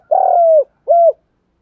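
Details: Lure calling of spotted doves, male and female, to rouse and train birds: one long sustained coo sliding slightly downward, then a shorter rounded coo after a brief pause.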